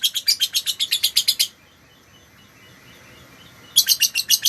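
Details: Lovebird chattering song, used in Indonesia as a master to teach other birds: a quick series of sharp, high chirps, then a pause of about two seconds before the rapid chatter resumes.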